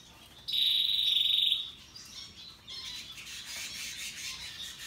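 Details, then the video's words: Russian yellow and Timbrado canaries singing: a loud, rapid high trill lasting about a second, followed by softer, fainter twittering phrases. "Canaries Paradise Song Sound"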